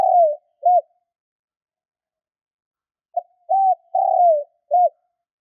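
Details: Spotted dove calling to excite newly caught doves: the tail of one phrase, a falling coo and a short note, then after a pause a complete phrase of a soft pip, an arched coo, a long descending coo and a short end note.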